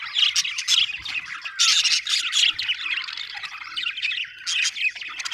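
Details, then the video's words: Happy budgie chirping: bright whistled notes and rasping warbles in energetic bursts, with short quieter gaps between phrases. "happy budgie chirping sound"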